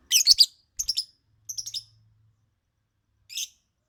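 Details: Lovebird singing: short bursts of harsh, high, scratchy chirps, a cluster at the start, then two more groups, and a lone chirp after a pause of about a second.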